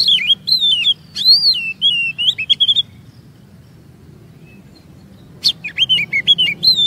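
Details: Kacer (Oriental magpie-robin) lure song meant to make other birds sing long and reveal their stored 'isian' notes: looping, wavering whistled phrases and sharp chips, a roughly two-second silence, then a renewed run of whistles.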